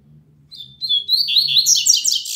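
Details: Caged double-collared seedeater singing on a Saturday morning, still weak in song: thin whistled notes near the start, then a fast, rising run of buzzy high twitters, over a faint low hum.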